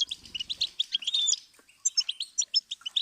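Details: Goldfinch song used as a teaching and stimulus tape for songbirds: quick, tinkling, high twitters of about eight notes a second, a brief pause, then more liquid chirps and buzzy trills.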